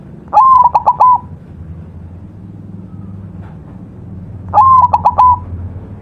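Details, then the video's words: White zebra dove, a master song recording for training birds, singing actively: two phrases, each a short rising whistled note followed by three or four quick pulsed coos, separated by a few seconds of low background hum. "perkutut putih masteran gacor"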